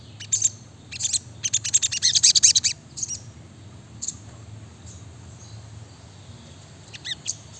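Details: A brown-throated sunbird sings busily in quick, dense phrases. Clustered high, scratchy twittering comes in the first three seconds, followed by scattered faint chips and a couple of thin notes near the end.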